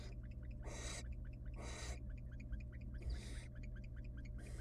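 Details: Wild barn owl nestlings in a monitored nest box beg while their mother feeds them tiny pieces of rabbit. Three loud, harsh hissing bursts, each about half a second long, over a steady low hum and faint ticking.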